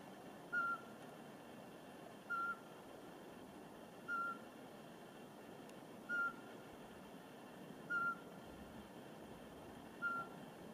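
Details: Eurasian pygmy owl hooting in a forest near Porkuni, Virumaa, in mid-March 2019: six short, clear, steady whistled toots on a single pitch, spaced about two seconds apart, over a soft background hiss.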